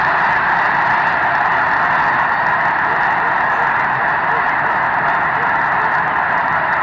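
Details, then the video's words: A huge flock of snow geese, about 750,000 counted, taking to the air before sunrise on March 13, 2018: a near deafening, continuous roar of countless overlapping honking calls with no pauses. "Snow Geese Blastoff (uncut)"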